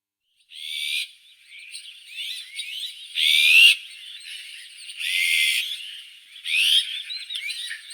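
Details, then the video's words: Azure-winged magpie song: bursts of harsh, buzzy and wheezy notes mixed with short slurred chirps, loud phrases arriving roughly every one to two seconds, with a thin steady high tone running throughout. "Как поёт Сорока голубая (Cyanopica cyana)"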